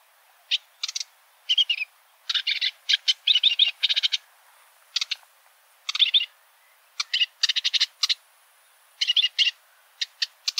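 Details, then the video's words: Lively sedge warbler song: restless chattering phrases of harsh, rasping notes and quick stutters, mixed with sharp single chips, going almost nonstop over ten seconds. "Vogelstimmen: Der Schilfrohrsänger - Reed warbler - Acrocephalus schoenobaenus"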